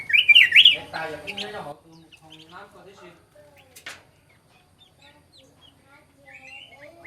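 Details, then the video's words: Black-crested bulbul song used to call in birds: a loud, quick zigzag warble opens the recording, followed by a buzzy chatter. Faint chirps and twitters from other birds trail off afterwards. "เสียงนกปรอดเหลืองหัวจุก Black crested bulbul Sound"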